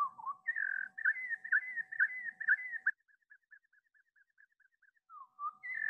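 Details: Pacific wren (Troglodytes pacificus) song played slowed down: clear whistled notes around two per second, then a fading string of faint quick notes, with a steady low hum throughout.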